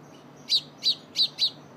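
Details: Young sparrow being fed by its mother, who softens seeds for it: four thin, high chirps in quick succession about every third of a second, over a quiet low background hum.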